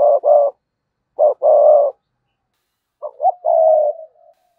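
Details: Spotted dove used as a decoy, cooing in 'sa gù' and 'thúc bổi' manner: clipped double notes, then a longer coo, a pause, and a stuttering phrase ending in a drawn-out, fading coo.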